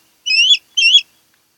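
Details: Osprey at a nest on Kent Island, Maryland, filmed by nest camera on 10 August 2018: two shrill whistled chirps in quick succession, each rising and swelling at the end, against a silent background.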